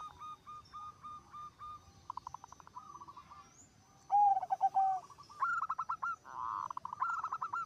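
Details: Zebra dove singing steadily, said to draw other zebra doves into song. A series of soft repeated notes, then a louder sliding coo and quick stuttering phrases, with overlapping doves calling.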